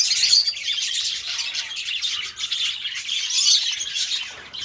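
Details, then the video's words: Budgerigars kept as pets singing, continuous high twittering warble with scratchy buzzes and a few clear whistled notes, several birds overlapping. "Parrots singing beautiful birds voice beautiful budgies birds sounds"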